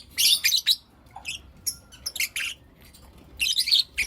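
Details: Morning chirping from lovebirds of blue opaline and lutino opaline colouring: loud shrill chirps in quick bursts about four a second, with gaps and a few softer squeaks between.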